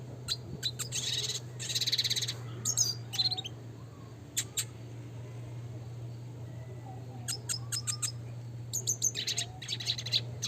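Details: Classic red siskin singing, used as a training song for cage birds: bursts of high, rapid twittering and buzzy trills separated by pauses, with a steady low hum underneath.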